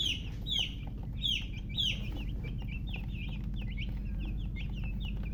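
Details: Newly hatched chicken chicks calling: several loud, clear, high descending peeps near the start, then a quicker stream of softer overlapping chirps over low background noise.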